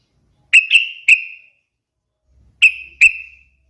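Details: Yellow-vented bulbul (trucukan) song, a melodious lure for other birds: a group of three sharp whistled notes, then two more after a pause, each trailing off evenly, with a faint low rumble.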